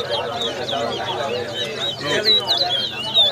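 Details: Large-billed seed finch (towa towa) at a bird singing competition at Lusignan, Guyana, in 2022: quick high whistled notes over a busy background of talking voices.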